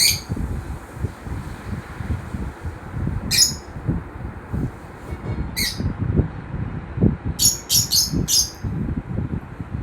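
Lovebirds give short, harsh, high chirps in scattered bursts, some in quick runs of three or four, over a steady low rumble of indoor noise.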